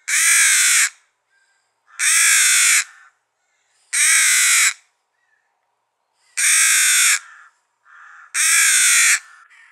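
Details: Young rook picked up from the ground and kept on a branch, hand-fed every two hours; harsh, grating begging caws about a second long, repeated roughly every two seconds, five in a row, with faint softer calls in the gaps.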